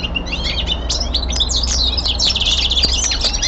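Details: Home-kept common linnet pouring out a lively warbled twitter, mixing thin whistles with buzzy trilled chatter that grows fuller toward the end, over a faint low hum.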